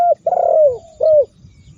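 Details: Spotted dove coo, played as a training recording to provoke rival doves into calling: a short low coo, then a long falling coo and a final shorter falling note, all mellow and throaty, with faint background hum.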